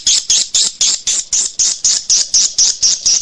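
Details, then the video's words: Swiftlet call of the style known as SP. KADITA, a lure sound for swiftlet farmers that draws birds to nest houses: high, sharp chirps repeated steadily about four times a second, each with a slight buzzy edge. "suara panggil SP. KADITA"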